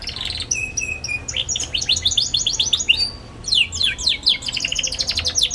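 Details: Young canary singing a lively ngeriwik, meant as a lure for young canaries learning to sing: steady level whistles open into a busy, rapid high twitter, a brief lull, then more fast chirping runs.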